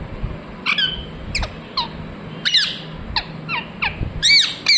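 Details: Chirping ringneck parrot: rasping squawks and brief falling chirps, a few each second, ending in a loud harsh burst, with a constant high hum behind.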